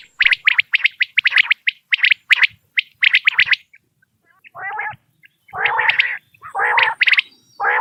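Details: Common quail calling in the morning: bursts of short, burry notes in quick clusters during the first half, followed by lower, harmonic-rich calls that rise and fall, with brief silent gaps between phrases.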